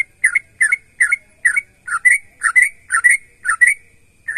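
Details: Sooty-headed bulbul singing to set off other bulbuls: a regular chain of short bubbly double notes, warbled and whistled, roughly two per second throughout.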